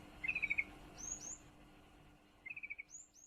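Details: Yellow-vented bulbul female in breeding condition calling for a male. She gives two quick rattling bursts of about six clipped notes, and another bird adds high, thin upward-sweeping whistles between them.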